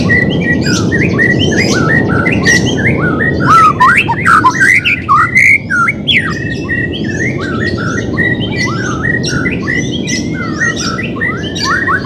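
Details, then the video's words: White-rumped shama song used to train a bird reluctant to sing: continuous quick whistled and squawky phrases, with jumpy up-and-down notes, over a steady loud rushing background noise. "CARA MELATIH BURUNG MURAI BATU MALES BUNYI"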